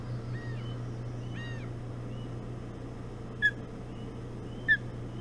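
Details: Ospreys at their nest on Hog Island, 11 June 2017 at 05:09, during a breakfast feed of bullhead; faint arching whistled calls early on, then two short sharp chirps about a second apart over a steady low hum.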